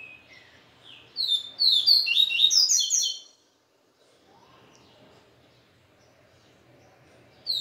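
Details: Israel-style papa-capim song, the bird stirred by a female's company: soft lead-in notes, then a loud two-second cascade of rapid, overlapping high whistles, followed by near silence.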